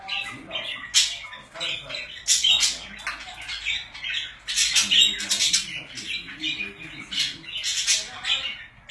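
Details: Several pet budgerigars warbling and squawking together indoors, a dense run of raspy notes and sharp high clicks that swells and fades.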